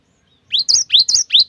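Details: Cinereous tit singing 'wucit wucit' song used to provoke others: a brief string of four loud rising whistled notes, each ending in a thin high flourish, after a moment of silence.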